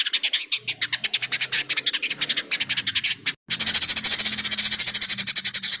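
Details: An Indigo Bunting gives a harsh, rapid, high-pitched chatter of tight, dry pulses, about eight to nine a second, broken by one brief gap. The recording is used as a tutor song for White-rumped Shamas.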